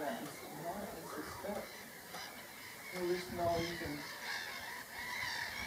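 Black-headed gulls give harsh, grating cries in uneven bursts, several birds overlapping, against steady background noise and possible voices.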